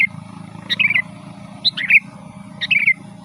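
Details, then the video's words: Sooty-headed bulbul in lively rolling song, used to call wild birds in the forest: three short bubbly phrases, each opening with a sharp high note and tumbling into a warbled chuckle, spaced about a second apart over a steady low hum. "Suara burung kutilang gacor Garuda full gacor dan ngeroll"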